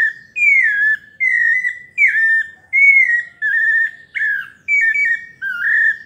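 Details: Pale-breasted thrush singing a melodious 'paulista' song, a steady series of rich whistled notes, some slurred downward, some with quick inflections, delivered roughly once per second.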